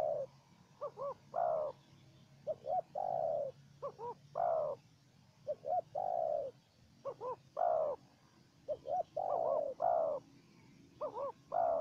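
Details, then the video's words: Spotted dove in the wild answering a decoy dove in a calling contest before fleeing: mellow low cooing in repeated phrases of paired quick notes and one longer coo, somewhat distant, over a steady low background hum. "Pikat dan Terkukur Liar Adu Suara"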